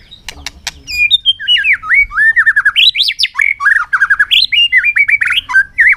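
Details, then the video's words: Competition song of a white-rumped shama on an afternoon: a few sharp clicks, then a long unbroken stream of rich, varied whistles and slurred phrases sweeping up and down, rising to high fluted notes midway. "chòe lửa căng lửa hót đấu siết nắng chiều"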